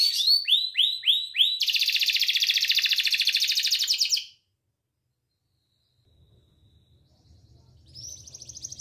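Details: Young canary learning to sing in the afternoon: a run of quick, repeated sweeping whistled notes leads into a dense, buzzy rolling trill that stops abruptly after four seconds, then quiet with a faint low rumble and a short high trill at the end.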